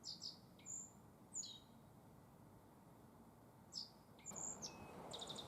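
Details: A black-faced bunting (Emberiza spodocephala) sings in spring in Tenjinyama green space, Sapporo, Hokkaido, Japan: short, bright phrases of high, sharp chirps and a lower buzzy note, repeated every second or two over a soft background hum.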